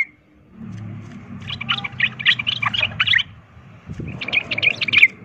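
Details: Sooty-headed bulbul 'ropel tarung' fighting lure song that provokes other bulbuls into fighting; two dense runs of fast, chattering, bubbly notes separated by a short pause, over a faint low hum.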